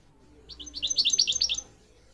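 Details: Soft, more distant goldfinch twitter from a song-training recording for young mules and canaries: about a second of quick, buzzy warbled notes over a faint background hum.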